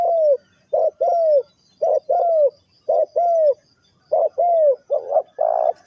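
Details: Spotted dove cooing '3 kuk hoi', soft short coos each followed by a longer arched coo in a steady rhythm, ending with a rougher, fuller coo.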